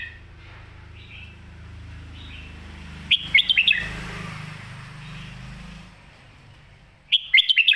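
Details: Red-whiskered bulbul singing, used to teach young birds: a quick, lively, chirpy phrase lasting under a second, then a pause and a second, similar, sharp warbled burst, with low background hum and faint chirping.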